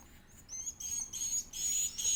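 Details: Edible-nest swiftlet (Aerodramus fuciphagus) chick being fed: after a quiet start, very high, thin, wavering squeals swell into louder hissy bursts over about two seconds.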